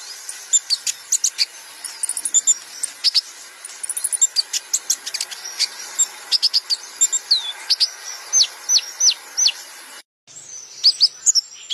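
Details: Kolibri ninja sunbird song used to train other songbirds: busy, very high-pitched chattering of sharp chirps, quick slurred whistles and short trills, with a brief silent break near the end.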